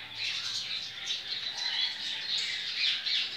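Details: Captive double-collared seedeater, coleiro baiano, singing in the Ciclone style on 23/11/2019 at a licensed breeder: continuous high, rapid chattering warble with buzzy trills, fairly even in loudness.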